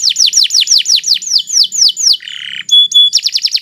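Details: Kenari Nusantara canary in long, steady song: about a dozen loud descending whistled notes in regular rhythm, a buzzy harsh phrase, two piercing pure whistles, then a quick burst of rapid notes.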